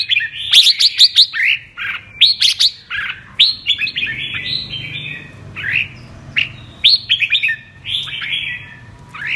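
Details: Singing red-whiskered bulbul ('mơ' bird, 'giọng kép' double-voice style): a fast cluster of loud chirps and whistles at first, then spaced, slurred whistled phrases.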